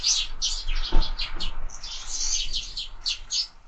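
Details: Sparrows feeding at feeders mounted on a window give quick strings of high, squeaky chirps with a single low thud near the one-second mark.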